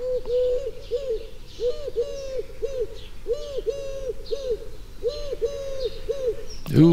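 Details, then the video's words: A Eurasian collared dove coos in repeated soft, hollow three-syllable phrases, about one every 1.5 seconds, with a brief louder noise at the end. "för att få till lätet på nästa duva, turkduvan, då får man lägga på en stavelse så att det blir tre."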